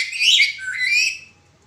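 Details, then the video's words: Black-capped lory with the 'suara pecah' cracked-voice call, used as training material for other birds: two loud, harsh, grating squawks with a whistled overtone, lasting about a second, in a quiet room. "Burung Nuri kepala hitam suara pecah"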